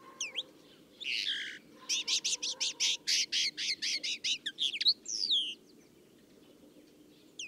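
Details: Common Linnet singing: a varied, fast twitter that opens with thin sliding whistles and a buzzy burst, then runs a quick series of about a dozen dry, evenly spaced chattering notes, ending in upward-curving whistled notes; quiet low hum behind.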